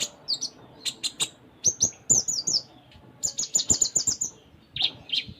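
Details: Sunda minivet, a kept bird singing energetically with a full, varied repertoire: high thin whistles, some sliding downward, strung into quick bursts with short pauses, mixed with sharp clicks.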